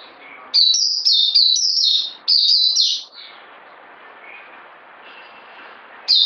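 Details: Bird giving a quick run of sharp, high whistled notes that slur downward, then a long quiet stretch of background hiss before a new note begins at the end.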